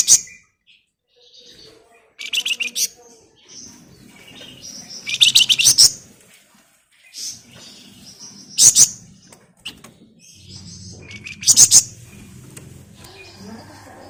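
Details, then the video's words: Flamboyan in full voice with tight ngebren buzzing and nyerecet shrieks, played as a lure for other birds: rapid rasping trill bursts roughly every three seconds between quieter chattering and a low hum. "Burung Flamboyan Gacor Ngebren Rapat Nyerecet Nyiul Cocok buat Pancingan"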